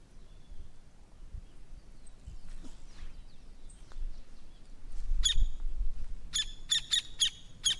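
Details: Campo flicker song: sharp, ringing notes, first singly then in a quickening burst of five or six near the end, over low wind rumble.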